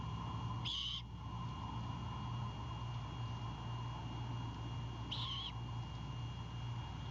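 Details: Owlet of a great horned owl, defensive after its father drops a bird at the nest at night: two hoarse hissing screeches about four and a half seconds apart, steady low hum underneath.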